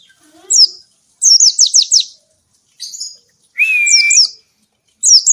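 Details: Oriental white-eye song meant to provoke and train lazy birds to sing: high, quick down-slurred chirp series in bursts, with a steady lower whistled tone held about a second mid-clip.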